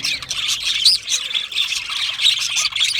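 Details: Australian budgerigars keep up a rapid, chattering warble, with a short whistled note near the middle and steady high chirping from several birds underneath.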